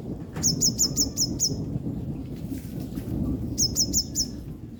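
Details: A female yellow-bellied sunbird, wet from rain and drying off, calls two rapid series of six high, sharp chips roughly three seconds apart, with thunder and rain rumbling low behind.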